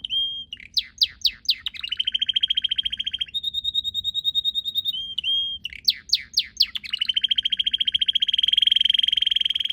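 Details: Red canary singing in a garden with purple azaleas: quick descending slurred notes, then a long fast trill, a steady high whistle, more slurred notes and a closing rolling trill.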